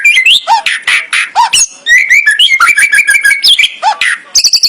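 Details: White-rumped shama pouring out a busy 'full isian' song: sharp chirps, downward-swooping notes and a fast series of short whistled trills, loud and near.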